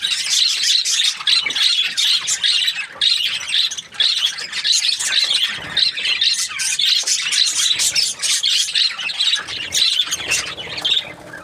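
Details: Continuous flock-like budgerigar chatter, said to be happy: harsh squeaky warbles and chirps running for over ten seconds with few gaps.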